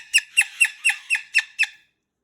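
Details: A male pet Moluccan cockatoo in a bedtime tantrum, refusing to go to bed indoors: seven harsh, grating screams in quick succession, about four each second, cut off into silence.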